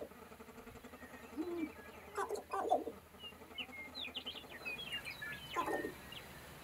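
Sharp-tailed grouse calling at a lek: low, hollow coos and clucks with rapid rattling bursts, mixed with thin higher chirps from several birds.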